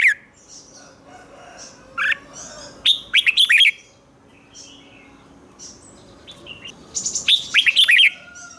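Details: Red-whiskered bulbul cage bird in doubled 'เบิ้ล' song for young birds to copy: a few scattered chirps, then two bursts of rapid, liquid whistled notes about four seconds apart, with quiet twittering behind.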